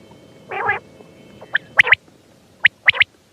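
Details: Batair, or quail, giving one soft nasal burst followed by short, sharp clicking notes in quick pairs and triplets, with a faint steady hum underneath.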